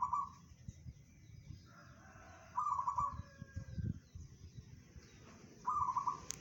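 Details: Local zebra dove singing bedah karang style, claimed audible at 500 meters: three brief rolling trilled coos a few seconds apart amid low rumbling background noise and a faint click at the end.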